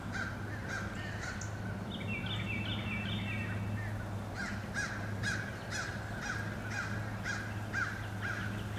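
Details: Relentless crows repeatedly attacking eagles, recorded 26 April 2015. A brief stepped chatter comes early, then a run of rough, clipped caws, all under constant low-pitched hum and environmental noise.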